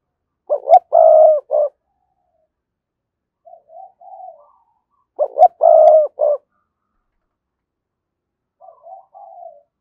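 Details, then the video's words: Spotted dove cooing as a decoy to provoke wild doves into cooing: two loud, low, hollow coo phrases about five seconds apart, each of four or five notes with one long middle note, followed by softer trailing coos in a quiet setting. "Tiếng chim cu gáy thúc bổi, mở lên nhá bổi gáy liền, giọng may bổi"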